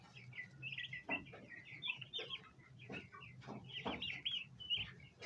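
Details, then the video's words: Group of domestic bronze turkey poults gathering to eat at a basin of ornamental plants: many overlapping thin whistled chirps, some rising, some falling, broken by sharp tapping or pecking clicks and a low steady hum. "baby turkey Free Sound Effects | bronze turkey poults"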